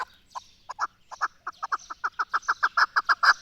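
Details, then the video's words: In Pakistan, the national bird, a chukar partridge, starts with spaced single clucks that quicken and grow louder into a regular chuk-chuk-chuk rhythm. "پاکستان کی قومی پرندے چکور کی خوبصورت اواز"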